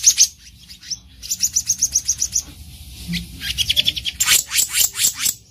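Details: Black-naped monarch in the wild, a lure for trapping: repeated high thin chips in an even series, followed by rougher rasping notes and a final harsh, scratchy flurry.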